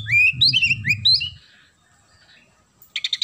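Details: Oriental magpie-robin song with sparrow-style phrases: a short run of rising whistled notes over low rumbling noise, then near silence, then a rapid buzzy chattering burst.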